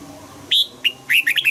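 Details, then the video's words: Red-whiskered bulbul double-note 'old forest' song for morning-song training: a clear high whistle, a short pause, a single note, then a quick tumbling run of bright slurred whistles. "Luyện giọng cho chào mào hót sáng, ép chào mào hót âm kép già rừng hay tuyệt!"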